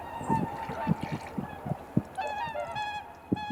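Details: Dawn at Kotoku-numa pond in Japan, blue hour, swans on the water. After scattered low thumps, a clear run of stacked, nasal swan notes sounds in the second half, with wind noise on a camera's built-in microphone.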